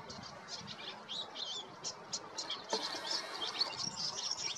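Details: European goldfinch singing in spring in the Golan Heights, Israel: rapid, high twittering and tinkling notes, short chirps and trills run together at an uneven pace, with soft background hiss.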